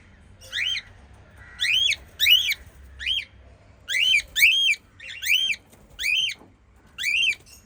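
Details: Five lovebirds give sharp, squawky chirps in short bursts, each note sweeping up and then down; lovebird.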